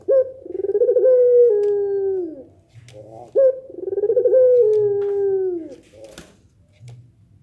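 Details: Two drawn-out Barbary dove coos in the pelung nangguk style, which is meant to draw replies from other doves. Each starts with a sharp note, then throbs along and drops in pitch, with a quiet pause between.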